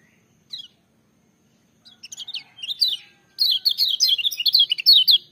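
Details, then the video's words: Lemon-bellied white-eye, a loud, full-voiced singing bird kept to prompt silent birds of its kind. After brief chirps and a pause, it delivers rapid, high, twittering warbled phrases that quicken toward the end. "Kecial Kuning joss gacor menggelegar tapi merdu"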